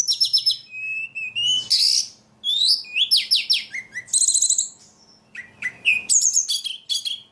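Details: Ledekan bird in vigorous song: rapid high trills and buzzy notes alternate with rising whistled phrases and sharp downslurred chips, in bursts separated by short pauses.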